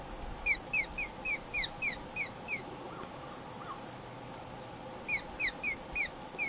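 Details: Wild female Blue Jay giving a Sharp-shinned Hawk imitation as an alarm warning other jays: a fast series of high, sharp, down-slurred notes, about eight in a row, a pause, then five more.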